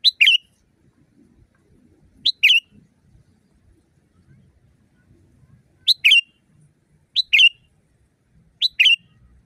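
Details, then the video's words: Sooty-headed bulbul recorded in the wild as training material for caged birds, loud natural voice: short paired phrases, a clipped note then a warbled chirp, repeated every one to three seconds over faint background rustle. "Masteran burung kutilang di tempat raja kutilang. Suara keras fulll alam"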